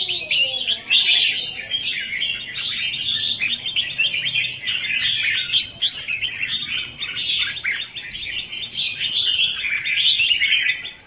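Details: Red-whiskered bulbul singing in the 'hót ché' style, used as a decoy to lure, train and provoke other bulbuls for trapping; a dense, continuous chattering warble of quick twittered notes runs without pause.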